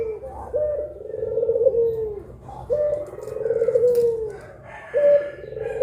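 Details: Collared dove cooing pelung-style at midday, one of a pair: long low coos that start with a short higher note, then hold and slowly fall, repeated about every two seconds and a half.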